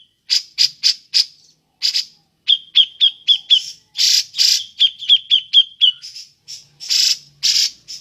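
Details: Cucak jenggot, the grey-cheeked bulbul, calling in ngepik style for luring birds: loud harsh chack notes alternating with runs of quick sharp high pips, steady and insistent throughout.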